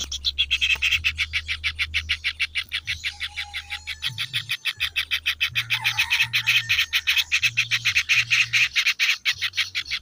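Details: Kingfisher young keep up a rapid, buzzy chatter of high rasping notes, over a steady low humming drone that pulses on and off throughout.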